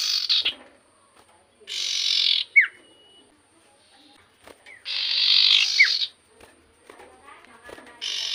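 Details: Excited common iora song aimed at rousing other ioras: broad harsh buzzes alternating with quick falling whistles, and a faint thin level whistle trailing after one burst.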